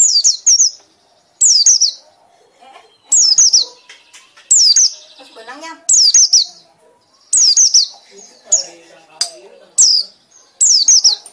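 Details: Loud ngekek-style song from a white-eye: clusters of high, thin, downslurred whistles in quick doublets and triplets, repeated steadily with short gaps, plus faint low chatter and a brief flutter in the background.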